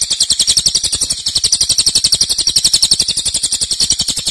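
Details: Loud nembak singing from a cililin, a favourite training recording for songbirds: a continuous fast series of high, rasping pulses close to four per second, unbroken from start to finish.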